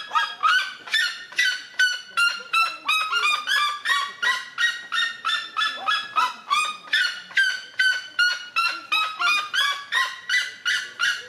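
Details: A red-legged seriema's territorial call, used to defend its territory: a long, sustained chain of around thirty rhythmic, harsh yelps at close to three per second, evenly spaced and loud, without accompanying noise.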